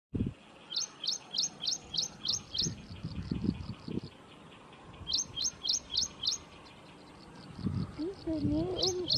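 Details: Ashy prinia at Thommana Kole Wetlands giving bright, high chips in quick runs of six or seven, about four a second, with thumping noise and a brief human voice.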